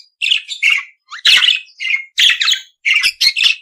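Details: Budgerigar giving short chirpy, squawky phrases, about one per half second, with a brief rising whistle among them.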